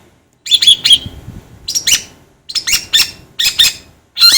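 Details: Cendet or pentet (long-tailed shrike) song used to train birds: clusters of sharp, squeaky high notes with thin whistles, given in short groups separated by brief pauses.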